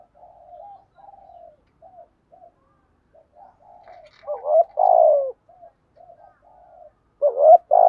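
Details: Decoy spotted dove singing in the thổ voice style: a run of quiet, breathy low coos, broken by two loud phrases, each a brief rising note and then a long, full, downward-sliding coo.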